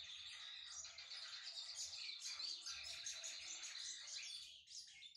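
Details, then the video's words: Brown-plumaged Lined Seedeater (bigodinho pardo) warming up its voice: a continuous, fast jumble of high chirps and twittering trills, notes tumbling over one another for about five seconds with a faint low hum underneath. "Esquentando-meu-bigodinho pardo"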